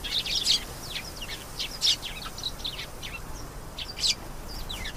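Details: A canary sings lively high-pitched twitters, rapid chirp series and short rising and falling whistles, delivered in repeated bursts over about five seconds against faint hiss.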